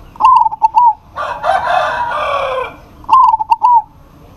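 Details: Local zebra dove in full voice, calling to a rival that answers: two bursts of quick, clipped cooing notes, a short rolling phrase each, separated by a louder, harsher drawn-out call resembling a rooster crowing.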